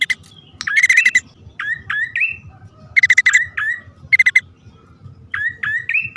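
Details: Bar-winged prinia, male and female calling: bursts of fast, harsh clicking notes alternate with rising, slurred chirps in threes, repeated a few times with short gaps.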